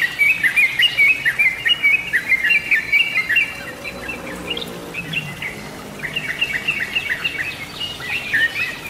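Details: Lure recording of sooty-headed bulbul: rapid bright whistled notes chattering at first, a quieter lull with a faint lower call midway, then the bubbling phrases resume.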